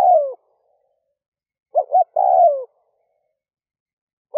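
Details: Early-morning cooing from a decoy spotted dove meant to call in wild birds. A descending coo is followed by a pause, then a double hoot leads into another long falling coo, with silence in between.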